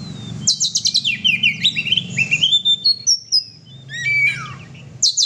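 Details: Oriental magpie-robin (kacer) in chatty 'gacor' singing, meant to rouse other pet birds. Fast run of high, sharp rising and falling whistles and trills, then long clear whistled notes and a softer wavering passage, with a faint low hum.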